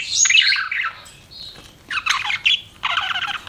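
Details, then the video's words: Domestic budgies chirp and warble: a squawky descending phrase, a soft thin whistle, then rapid scratchy chatter bursts. "CUTE PET BUDGIES CHIRPING"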